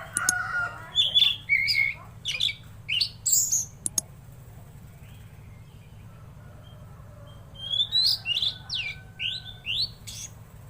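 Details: Tledekan laut singing energetically, opening with varied chattering and whistled notes, then a quiet pause. A run of fast rising whistled slurs follows, each sweeping upward, over a faint steady low hum.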